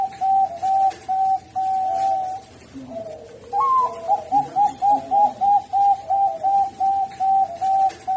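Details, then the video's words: A Bangkok-type zebra dove (perkutut), used as a lure for a reluctant bird, gives soft mid-pitched coos, then a fast rolling series of bubbling trilled notes, about three per second, over faint room hum. "Masteran Perkutut Bangkok, Memikat Burung Perkutut Bangkok Yang Mogok.."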